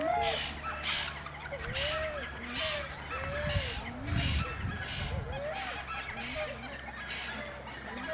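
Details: Spotted whistling ducks at WWT Slimbridge give thin, arched whistles, rising then falling, roughly once a second from several birds, over a steady low hum and faint background chatter.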